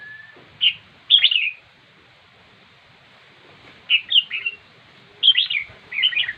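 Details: Red-whiskered bulbul song in three separated bursts of quick, bright, chirpy warbled notes, each bunch lasting under a second, with long quiet pauses between them.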